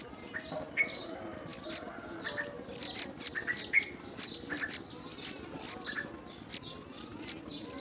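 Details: Yellow-vented bulbul feeding and putting worms in its mouth; short sharp chirps and clipped notes repeat irregularly, several brief tonal whistles stand out, over steady low background hum.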